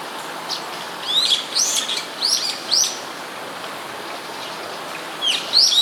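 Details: Brown-eared bulbul calling fairly close by in Sumida, Tokyo, Japan, on 21 May 2017. Loud, sharp, rising then falling squeals come in a cluster of four bursts, then a pause and a final pair. Steady background hiss.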